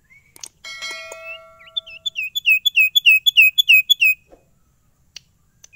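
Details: Energetic caged sirtu: a steady buzzy tone opens, followed by about a dozen sharp, evenly spaced high chirps delivered in a fast rhythmic burst, then silence.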